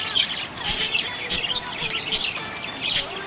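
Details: Happy budgie chirping: quick high twitters and bright clicks in short clusters, with a faint steady whistle-like tone underneath.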